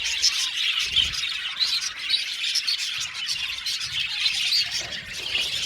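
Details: Budgerigars singing and chirping together in an aviary colony; continuous warbled chatter of many birds with repeated short, bright chirps.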